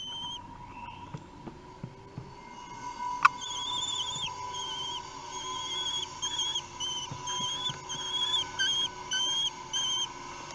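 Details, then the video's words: Common kestrel chicks three weeks old begging while fed at a nest in Théding, 8 June 2021; high wavering whistled squeals building in frequency toward the end, over a steady electrical hum and a single sharp click. "Repas, les fauconneaux ont 3 semaines"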